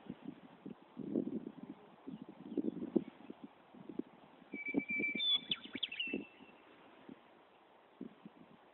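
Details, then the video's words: Meadowlark singing loudly from a tree in Wyoming: one brief phrase of clear, flutey whistles that steps upward and then slurs down, with low thumps of wind or handling noise throughout. "Meadowlark Song"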